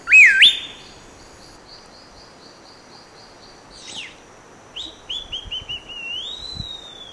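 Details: A rufous piha in Costa Rica, recorded in January or October 2021, gives one loud, slurred whistle, followed by a quieter series of high, falling notes from other birds.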